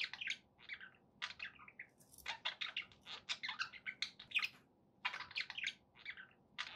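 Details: Softer budgerigar chatter from pet birds: scratchy chirps and warbled phrases in rapid runs over a faint low background hum.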